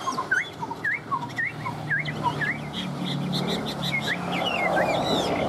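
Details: Pet Chinese hwamei in a cage, fired up and singing. It repeats short upslurred whistles roughly every half second, then softer higher notes fade into rising hiss and rumbling background noise.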